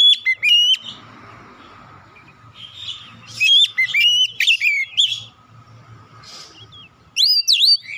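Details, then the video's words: Oriental magpie-robin song, played as a lure to push a stressed, untrained bird into singing, meant for 30 minutes each morning, noon and night: loud whistled phrases with upslurred notes, short bursts between pauses over a faint steady hum. "PANCING 30 MENIT TIAP HARI PAGI | SIANG | MALAM KACER BAHAN SETRES CEPAT GACOR"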